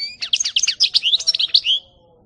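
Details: European goldfinch recorded in 2018 delivers one continuous rapid phrase of bright, slurred twittering notes lasting under two seconds, ending on a drawn-out downslurred note, followed by quiet.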